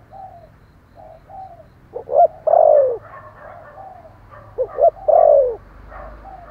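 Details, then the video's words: Spotted dove cooing vigorously: soft, faint paired coos open, building into two loud phrases of quick stuttering notes leading to a long, deep, slightly falling coo, with quieter notes between them. "Thổ Sấm gáy gọi, thúc gù rất sung"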